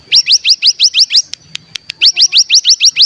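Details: Ngebren song of a mountain tailorbird, known locally as cigun, meant to stimulate other birds into singing: quick sequence of high rising chirps, a brief gap with sharp clicks, then the rising chirps resume.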